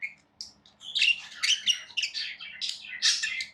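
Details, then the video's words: Pet budgerigars, tamed, give a short burst of chatter: a lone chirp, then a rush of bright, scratchy, warbling notes and squeaks running together in a lively stream. "Budgies Sounds"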